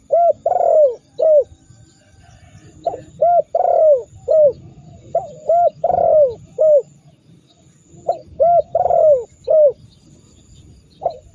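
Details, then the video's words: Spotted dove cooing in a training recording meant to provoke rival doves into calling: mellow low coos, each note rising then dropping, delivered in quick clusters of two to four with short pauses, over a faint low rumble and thin steady high whine. "Masteran burung tekukur super dahsyat membuat lawan ikut gacor mendengkur ngamuk"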